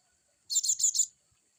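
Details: Cinereous tit (glatik batu) giving a brief harsh burst of four rasping, high buzzy notes in quick succession, lasting about half a second.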